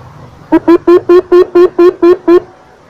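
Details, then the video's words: A Javan coucal gives a quick run of nine deep, hollow hoots, about four per second, steady in pitch, over a quiet background. "Suara Burung But-but Jawa"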